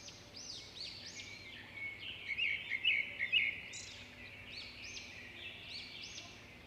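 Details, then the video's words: Bird chorus of quick, high chirps and arching upslurred notes. A louder burst of rapid twittering comes in the middle, over soft continuous background noise. "Birds chirping"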